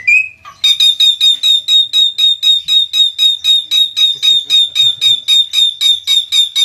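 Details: Javan myna (jalak kebo) in konslet gacor style, opening with a single whistle, then a long, very regular series of sharp, high, metallic notes, about four each second, continuing to the end.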